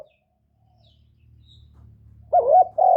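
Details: Kept decoy spotted dove giving gáy gọi, thúc and gù calls to rouse newly kept doves: a low hum, then two loud throaty coos, the first with a quick wavering dip.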